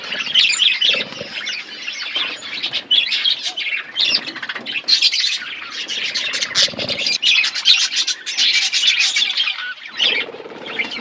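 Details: A colony of caged budgerigars in a forest-style aviary keeps up constant overlapping chatter: squawks, scratchy warbles and sharp chirps from many birds, with occasional soft wing flutters.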